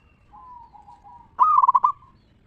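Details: Local zebra dove in Indonesia singing 'ngeristal', a lure for prompting other zebra doves to sing. A soft, level, drawn-out coo leads into a loud trilling phrase of five or six rapid beats.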